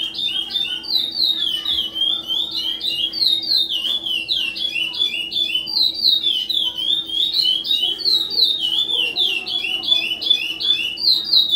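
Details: Captive-bred chestnut-bellied seed finch (curió) singing in the Ana Dias song style during the 2020/2021 season: fast, continuous run of high whistled notes, each note bending sharply up and down, with a steady low hum behind.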